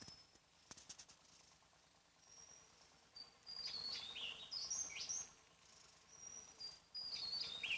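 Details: Loud song of a wild Javan tesia on Java, audible from afar. After a quiet start come several phrases of high thin whistles dissolving into rapid, jumbled, downward-sliding twitters, with a background of steady ticking.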